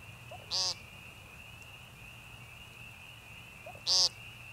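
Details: Peenting American woodcock recorded March 28, 2015, Young Conservation Area, northern Missouri Ozarks: two harsh buzzy peents about three seconds apart, each preceded by a soft quiet note, with a constant high-pitched background whine throughout.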